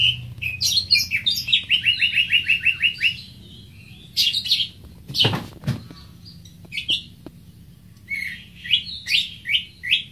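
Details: Greater green leafbird song opening with a rapid even series of short repeated notes, then a pause, a loud broad burst like a knock, and later renewed bright chirping phrases.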